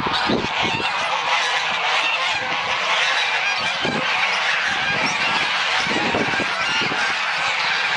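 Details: Many geese waking up on a fine sunny winter morning at a goose haven in Dalen: a dense, continuous wall of overlapping honks and cackles with no pauses.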